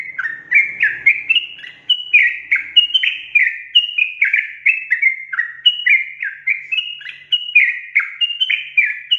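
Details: Sooty-headed bulbul delivering an extended gacor 'ropel' song used to stimulate other bulbuls. About twenty loud, fluty, slurred whistles pour out in a continuous, even run, with a faint low rumble at the start.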